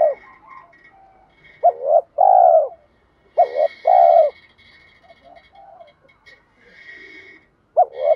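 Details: Spotted dove used as a decoy to call in wild doves, giving a repeated deep cooing phrase of a short doubled note and a long drawn coo, three times, over a faint steady high ringing tone.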